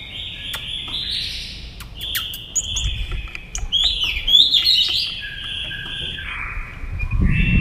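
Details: White-rumped shama in competitive song: overlapping whistled phrases and sustained notes with scattered sharp clicks, over a soft low rumble of background noise.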